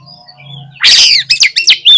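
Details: Oriental magpie-robin in vigorous song: a faint whistle and a low hum, then a harsh, loud rasping note followed by several quick sharp whistles, the last one a clear high note.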